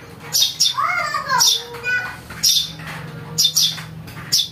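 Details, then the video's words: House sparrow chick calling, a recording used to lure birds: harsh, broad chirps repeated roughly once a second, with a few lower rising and falling harmonic sounds in between. "Suara anak burung greja untuk mikat"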